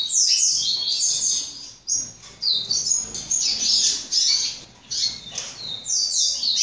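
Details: Young captive-bred double-collared seedeater from a Brazilian breeding facility singing a rapid, high twittering warble of buzzy slurred notes in bursts, with brief pauses between phrases.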